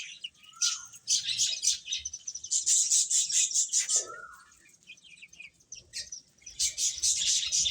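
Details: Chicks peeping as they feed: bursts of shrill, rapid overlapping chirps, two short lower sliding notes, and a brief quieter gap before the chorus resumes.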